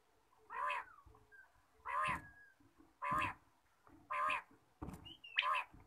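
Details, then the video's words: Quail heard in the morning: five hoarse, nasal calls about a second apart, with a faint thin whistle in the background. "batair ki awaz subha"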